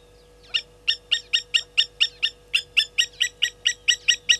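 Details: Blacksmith lapwings alarm-calling at a slender mongoose by Gowrie dam waterhole, Djuma Game Reserve, Sabi Sand Wildtuin, South Africa, 10:50 on 30 July 2020: about seventeen sharp, metallic clinking notes in fast, steady succession, roughly four per second.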